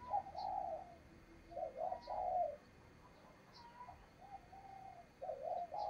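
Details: A decoy spotted dove's urging coo for drawing in wild doves to be caught: fairly distant, husky two-note coos in irregular bursts, a thin drawn note between, set against constant background hiss and faint distant chirps.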